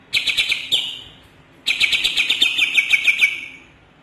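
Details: Two chattering phrases from a greater green leafbird, locally called cucak ijo Kalimantan: a short buzzy series, a pause, then a longer run of quick harsh notes that fades out.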